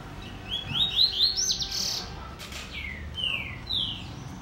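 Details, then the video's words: Double-collared seedeater kept in a cage, singing a rapid string of clear up-slurred whistles followed by a few spaced, downward-sliding whistled notes against a light background hiss. "Apresentação Coleiro Pen - Drive"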